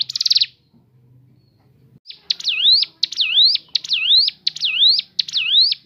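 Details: Crescent-chested babbler, natural song meant to draw other birds into singing: after a brief buzzy trill, a series of clear whistled notes dipping then rising sharply, repeated roughly every half second.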